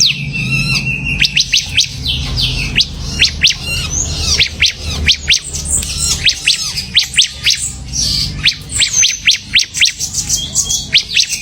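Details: Bar-winged prinia in lively song: rapid series of sharp high downward-sweeping notes, repeated in fast trills and scattered chips, with a steady low hum beneath.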